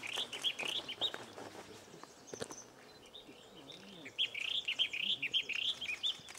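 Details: Firethroat singing in Sichuan, a series of quick warbled and slurred phrases around the upper-middle register, two bursts separated by a quieter gap, with faint background noise.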